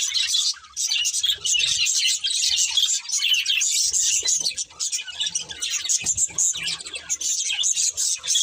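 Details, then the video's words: Love birds, a breeding budgerigar pair, chirp and warble in dense high chatter broken by short pauses, with low rustling and knocking sounds underneath. "Beautiful Budgies Chirping Sounds | Love Birds Breeding Pair"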